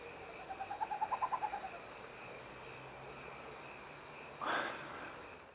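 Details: A Tropical Screech-Owl (Megascops choliba) in Indaiatuba, São Paulo, Brazil, gives a quick purring trill of about a dozen soft hoots that swell and fade within a second, over steady night insects and one brief rustling burst.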